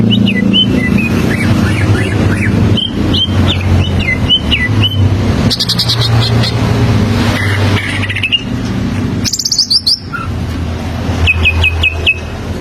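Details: Greater green leafbird (cucak ijo) singing its standard song as a learning model for young birds: varied whistles and chirps, a loud high rattled burst midway, short repeated notes near the end, against persistent low traffic-like noise.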